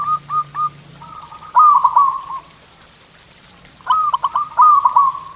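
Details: Zebra dove (local perkutut) singing a tutor song to get pet birds singing: a few spaced clipped notes, then stuttered rolling coo phrases, over a low hum at the start.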